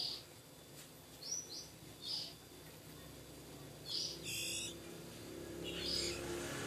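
Oriental magpie-robin chicks give short, high, hissy squeaks in scattered bursts about once a second, over a low background hum.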